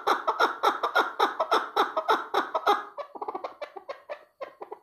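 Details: Chukar partridge giving a fast run of harsh, clucking notes, about two per second, that loosen into shorter, quieter chuckles toward the end.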